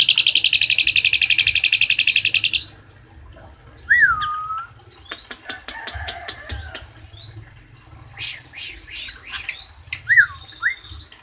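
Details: Asian pied starling in 'tembakan isian cililin' song for bird training: a quick high trill for two and a half seconds, then scattered clicks, short rising-falling whistles and chirps.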